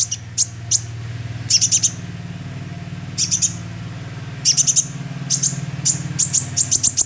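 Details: Young sunbird calls used for luring: high sharp chips in clusters of two to four, becoming a rapid even series toward the end, over a continuous low hum.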